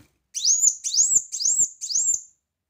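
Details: Brown-throated sunbird (kolibri wulung) singing loudly, a tutoring recording for training other birds: four bright, high notes that each sweep upward and level off, given about twice a second.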